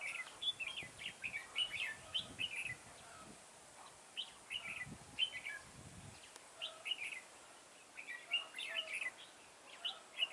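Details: Red-whiskered bulbul decoy singing during garden trapping on 9 October 2017: busy series of short sweet warbled phrases, closely spaced, with faint low thumps and soft rural ambience.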